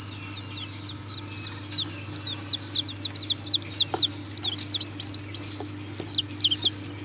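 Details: Serama chicks cheeping irregularly, high arched peeps coming in uneven bursts and pauses, a few soft clicks or taps between, all over a constant low hum.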